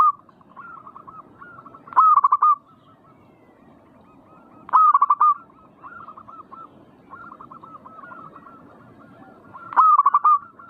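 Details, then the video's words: Zebra dove (perkutut) song of the manggung type, meant to provoke birds into active singing: loud cooing phrases, each a sharp first note then four or five rolling coos, about every three seconds. Fainter coos of other doves continue throughout. "burung perkutut bikin cepat Gacor rajin bunyi manggung"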